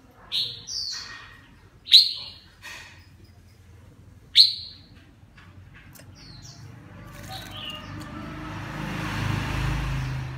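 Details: Bathing red-whiskered bulbul of the má lỡ, mào lân type gives sharp high chirped notes, three strong ones within five seconds, followed by a rising rushing, splashing noise.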